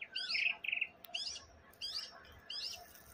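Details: A wild, long-tailed White-rumped Shama in Taiwan, about 2.5–3 metres away, sings rich, varied, high, clear whistled phrases in short bursts every half-second to second with brief pauses.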